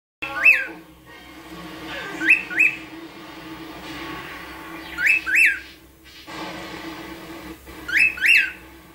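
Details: A female pearl cockatiel, DNA-sexed and an egg-layer, gives a recently learnt wolf whistle: short, bright whistled notes, often in quick pairs, repeated every few seconds.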